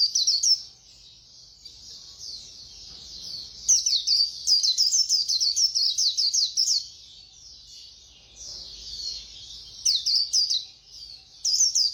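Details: A white-eye delivers rapid 'khuyên líu' singing in Vietnam style, with long stretches of high, quick-fire twittering notes, a softer warbling lull midway, and short loud bursts returning at the end.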